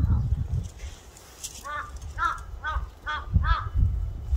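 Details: Crow giving a steady run of six rough, ringing caws, about half a second apart, after a brief noisy start, with low rumble beneath.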